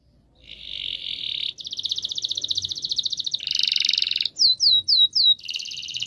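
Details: Canary with long rolls, for prompting mute canaries to sing: a steady buzzy trill, a faster rolled trill, a loud rasping burst, then four sharp falling whistles and a final buzzy phrase.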